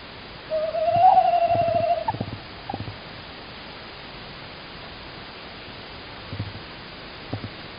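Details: Tawny owls in Estonia, 16 March 2019, a male calling outside with the female answering: one clear, steady, slightly wavering hoot of about one and a half seconds, followed by quiet taps and knocks.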